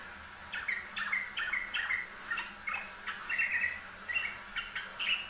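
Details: Yellow-vented bulbul singing on a master recording for training birds: quick series of clipped, bubbly notes with brief pauses, growing denser midway, steady faint hiss in the background.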